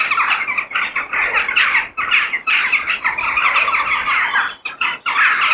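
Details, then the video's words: A crowd of crows in nature keeps up a continuous raucous cawing, rough and grating, with only short breaks near the end. "The Sound of Crow In Nature"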